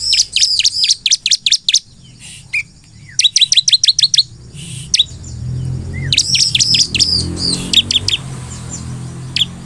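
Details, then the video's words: Lively crescent-chested puffback singing to provoke other birds into responding: bursts of sharp, high, downward chirps separated by short gaps, over a soft low rumble of background noise. "SEKALI PUTAR SUARA CIBLEK GACOR INI Di jamin semua CIBLEK Bakal langsung merespon"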